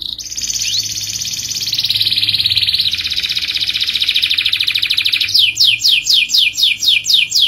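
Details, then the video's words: Canary singing a long roll meant to draw song from other canaries: an unbroken high rattling trill lasting about five seconds with small pitch shifts, then a fast run of repeated downward-sweeping whistled notes. "Kenari Gacor Ngerol panjang, untuk Pancingan Jenis Kenari apapun."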